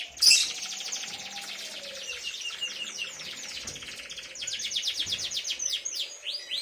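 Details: Canary singing a long, dense ngriwik roll for tutoring young canaries around three months old: an unbroken stream of very rapid high trills, growing louder toward the end, with a brief sharp note at the start.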